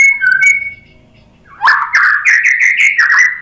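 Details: White-rumped shama singing to provoke other birds to answer: a few whistled notes, a pause, then a rapid run of bright repeated chirping notes, roughly three per second, on a steady pitch.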